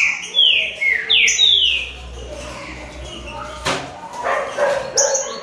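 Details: Green-winged saltators, a trio of birds in a singing contest, give loud descending slurred whistles in quick succession, followed by rougher, noisier notes, a sharp click and higher thin whistles.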